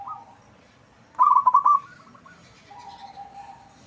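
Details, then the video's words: Local zebra dove with a loud, big voice, used as a lure that sets other birds answering; a single burst of rapid, bubbling coo notes lasts about half a second, then a softer, lower coo trails off. "Perkutut lokal gacor suara besar cocok untuk pancingan, langsung nyaut semua."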